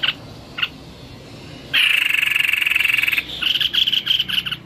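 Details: White-necked babbler in full voice: two brief chips, then a loud, steady, grating buzz of about one and a half seconds, followed by a rapid pulsing series of harsh notes.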